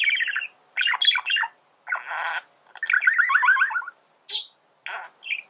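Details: Male budgerigar singing: a chattering warble of buzzy, rapidly pulsed notes and short harmonic chirps in bursts, with one sharp high squeak near the end and brief silences between phrases.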